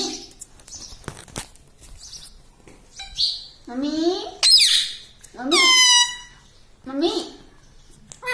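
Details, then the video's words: Pet parrot indoors in a small room, speaking word-like phrases in Hindi such as 'mummy' and 'papa': a series of squawky, harmonic-rich utterances, some sliding upward then falling, about one each second or two, with quiet gaps and faint background voices. "parrot talking mummy || papa bolta mithu || mummy mithu ko roti do ||talking parrot"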